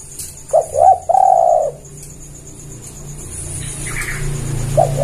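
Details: Lure call of a spotted dove for bird catching: one phrase of two brief hoarse coos and a long mellow coo, then quiet with low background hum, and a short coo starting at the end.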